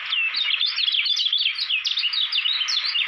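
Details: Kecial kuning, a Lombok white-eye groomed as a contest champion, pouring out a continuous stream of quick, high chirps with sharp upward and downward slurs, loud throughout against faint hiss.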